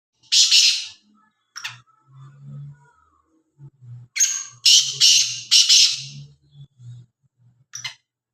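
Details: Black francolin calling, with loud harsh rasping bursts: one at the start, a short note, then three grating bursts in close succession around mid-clip and a final short note. A faint low hum runs underneath.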